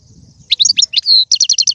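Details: Caged Algerian goldfinch, a trained singing bird, delivering a brief phrase: varied high chirps, a sustained whistled note, then a rapid series of repeated bright notes.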